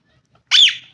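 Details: Green ringneck parakeet, one of a family of pet parrots shown dancing, gives a single loud harsh screech lasting about a third of a second, rising then falling slightly, in an otherwise quiet room.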